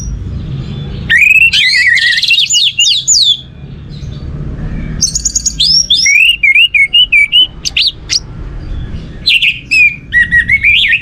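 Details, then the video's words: Lure song of an orange-headed thrush, meant to stimulate other songbirds: bursts of rich, varied whistles with rapid trills and wavering slurred notes, separated by brief pauses, faint low hum beneath. "Pancingan Burung Anis Merah ini untuk merangsang burung lain jadi gacor"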